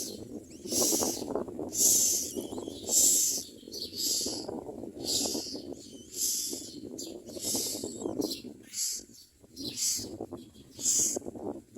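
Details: Common myna chicks screaming for food as they are fed in the mouth: loud hissing, rasping shrieks in bursts about once a second, with softer low rustling and chattering between.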